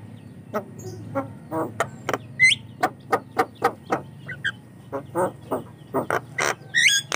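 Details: Javan myna singing, for luring and training other mynas: spaced, lower guttural chuck notes repeated roughly twice a second, broken by squeaky whistles and ending in buzzy, high squawks.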